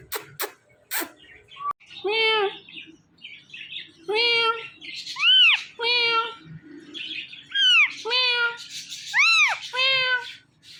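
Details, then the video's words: Indian ringneck parakeet, a talking parrot, repeats a harmonic, voice-like syllable about every second and a half, some falling, some arched and rising, after a few sharp clicks at the start. "Funny Indian Ringneck Talking Parrot"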